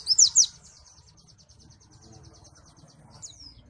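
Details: Malang pleci (white-eye): three loud sharp high chirps, then a faint, fast, even trill, and a final pair of high slurred notes.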